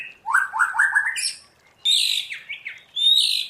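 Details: White-rumped shama singing the forest voice: a quick series of rising whistled notes, then two louder phrases. Each phrase opens with a high buzzy sweep and drops into slurred whistles.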